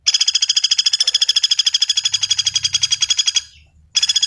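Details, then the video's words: Common flameback, in a recording prepared for training birds: a harsh, rapid rattle of evenly spaced dry notes, about ten per second, running over three seconds, a brief pause, then another rattle begins. Faint low rumble underneath. "SUARA BURUNG PELATUK BAWANG"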